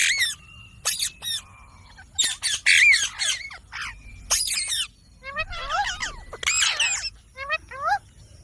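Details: Pet green ringneck parrot giving sharp, harsh screeching bursts in clusters, with some fast trilled, wavering notes near the end. Quiet gaps separate the outbursts.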